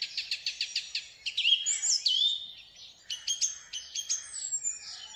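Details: Ringneck parrot outdoors: a quick run of six sharp, evenly spaced chirps, then loud slurred squawks sweeping down and up, followed by another series of clipped chirps and a thin high whistle; no other sounds stand out.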